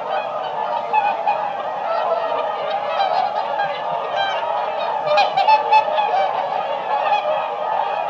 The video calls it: Flock of swan